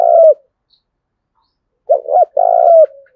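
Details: Spotted dove cooing, meant for luring and training doves. The tail of one long coo is followed by silence, then a complete phrase: two quick notes and an extended, slightly falling coo.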